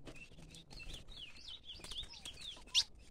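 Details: Ultramarine grosbeak called Bad Boy, recorded 2 April 2021, giving a soft run of warbled, slurred whistles, rising and falling, ending in one sharp, louder high note; faint background hiss throughout.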